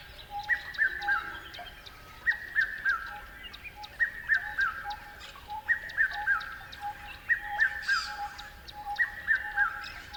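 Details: A long run of bird chirps in regular three-note groups, each falling slightly, repeated about every second and a half, with constant low humming and scattered sharp high clicks throughout.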